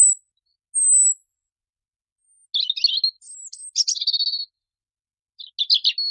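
A European robin sings thin, high whistles followed by rapid, scratchy trilled phrases that tumble and shift in pitch, with short pauses between bursts.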